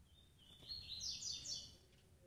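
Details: Female double-collared seedeater calling to get males excited; a thin whistled note rises into a brief series of bright, high, slurred notes over a low background rumble.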